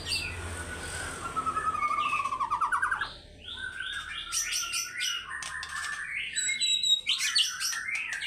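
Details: Fighter-style singing from a caged white-rumped shama showing off its varied repertoire: a fast pulsing trill rising in pitch, a short pause, then a dense run of clipped whistles, chatters and sharp high notes.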